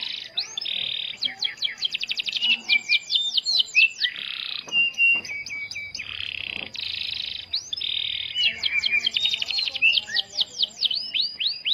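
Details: Starblue canary song used to get other canaries singing. Rapid trills of rising whistles alternate with rolling buzzy phrases, and a rougher, noisier passage falls in the middle before the fast whistled trills return.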